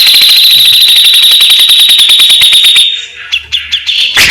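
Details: Grey-cheeked bulbul (cucak jenggot) singing a fast, tight besetan: a very rapid, even stream of high pulsed notes, about seven each second, for nearly three seconds, then soft clicks and one harsh burst.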